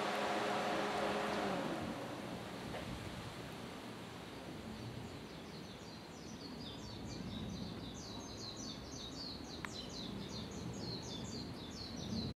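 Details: Japanese pied wagtail (White wagtail, Motacilla alba) foraging for caterpillars on a mountain road lined with cherry and maple trees in northern Nara, Japan, gives a quick run of thin, high chirps over a steady hiss of wind or water.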